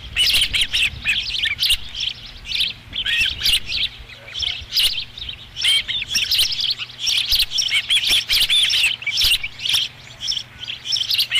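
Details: High chirping at the Dunrovin Ranch osprey nest, 13 July 2016, as the fifth fish arrives. Busy, uneven squeaks and whistles run continuously over a faint low hum.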